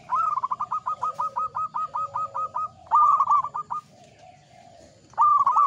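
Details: Local zebra dove in strong song with ngepat Mataram rhythm: a long, even run of about fourteen rolling coo notes, then a shorter rapid phrase, a pause, and another phrase opening.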